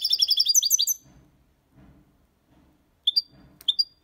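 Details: Copia Málaga style song of a European goldfinch, meant to stimulate young birds: a rapid one-second burst of bright, high, stacked twittering notes, faint low thumps, then two short sharp chirps.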